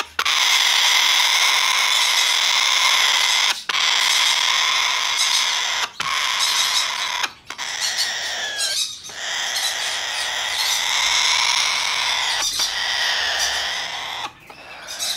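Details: Domestically bred, hand-tame Blue-eyed cockatoo, recorded 6 December 2019, giving long harsh, rasping screeches with bright stacked overtones that sometimes slide down in pitch. The calls are broken by brief pauses in what sounds like a small indoor room.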